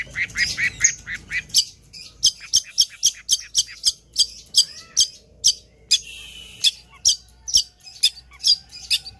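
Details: Long-tailed shrike singing energetically: quick chattering notes open, followed by crisp, sharp notes repeated about twice per second and broken by one longer, harsh buzzy note.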